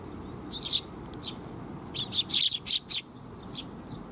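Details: Sparrows arriving to be fed at a Tenmangu shrine on 12 July 2021 give clear high chirps, grouped in short bursts of two to five notes, over a soft low background noise.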